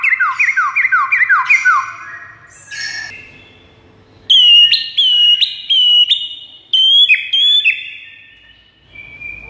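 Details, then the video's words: White-rumped shama song for luring rival birds: a rapid series of downslurred whistles, a harsh burst, a pause, then high clear whistled notes each ending in a sharp click. "PIKAT MURAI BATU LAWAN DENGAN MASTERAN MURAI BATU SATU INI"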